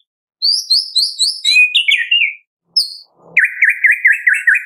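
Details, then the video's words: White-rumped shama, morning to afternoon song to prompt captive birds: a run of high repeated whistled notes sliding into a buzzy phrase, pause, then a fast wavering trill. "Pancingan Murai Batu Pagi - Sore Hari 99,8% AMPUH buat pancingan murai batu pastol agar bunyi"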